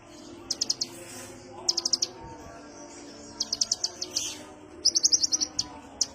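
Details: Kolibri ninja sunbird giving a calm lure call: clusters of three to six high, dry chips in quick bursts separated by short pauses, with a single sharp note closing the clip.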